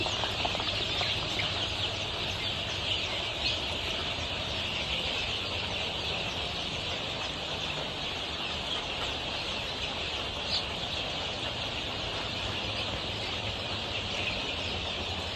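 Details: Crowd of 23-day-old Golden Misri chicks at a farm in Pakistan: constant high chirping from many birds, occasional louder single peeps, and a steady low drone behind.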